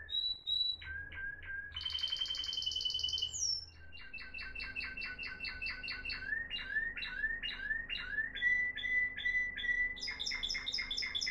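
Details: Moroccan Timbrado canary of 2021 giving discontinuous song: spaced notes, a rapid buzzy rattle, a rising sweep, then a long chain of quick clipped double notes.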